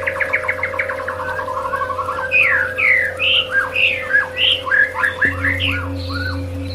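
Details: White-rumped shama song played as bird-therapy audio: opens with a fast rattling trill of short notes, then breaks into loud varied whistled phrases with sharp upward and downward slides, steady hum behind.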